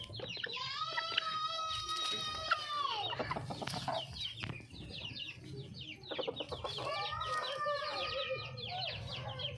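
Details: Wild red junglefowl hen calling for a male: two bouts of loud, strained, level harmonic calls lasting a few seconds each, separated by a gap filled with rapid high bird chirps and a low background hum.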